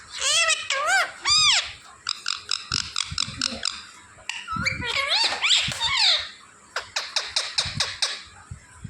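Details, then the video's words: Pet parrot talking, with squeaky, speech-like syllables in rapid bursts, rising and falling whistled notes, and a run of short clicking sounds toward the end, heard indoors. "cute Parrot 🦜 talking"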